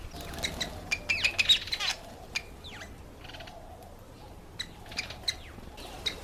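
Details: Cape weaver (Ploceus capensis) giving harsh, buzzy chattering and short swishing notes in quick irregular bursts, with other birds chirping and a steady low rumble beneath.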